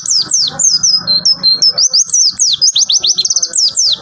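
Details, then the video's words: Rapid tembakan song from a pleci (white-eye): dense, unbroken high whistled phrases mixing long slurred notes, flat tones and fast stuttering trills near the end. "Tembakan Pleci"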